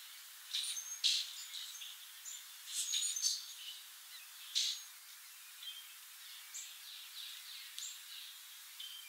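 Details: Song sparrow singing while foraging: bright high bursts of notes that start sharp then break into short buzzy and chirping pieces, several phrases spread over the seconds with quiet gaps between them.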